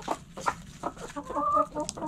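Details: Chickens relaxing in a backyard coop, brief clucks spaced out, then a sustained wavering hen call near the end.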